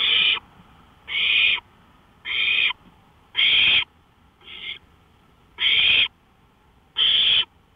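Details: On a porch at 1:53 AM on May 5, 2013, an owl gives seven loud, noisy hissing screeches, each roughly half a second long and spaced about a second apart, one noticeably quieter.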